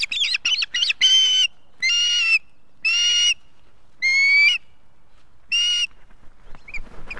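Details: Adult ospreys with their chick at a nest in Estonia on 3 August 2018. Quick clipped notes lead into a series of loud, drawn-out, whistled calls, each about half a second long and roughly one per second.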